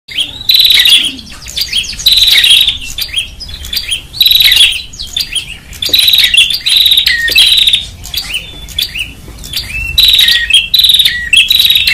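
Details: Agitated prinia calling, from Indonesian lure audio: loud, high, buzzy trilled bursts about half a second long, repeated every one to two seconds, with sharp chirps and clicks between them.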